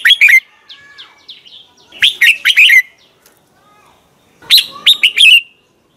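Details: Morning decoy song of a red-whiskered bulbul for training other birds. It gives loud phrases of four or five quick whistled notes, with softer, thin chirping notes heard between the first two phrases.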